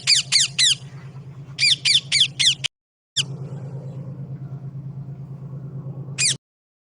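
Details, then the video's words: Parrot in India giving harsh, loud squawks in quick bursts, first three, then five, then a lone call after a pause, over a steady low mechanical hum. "parrot voice"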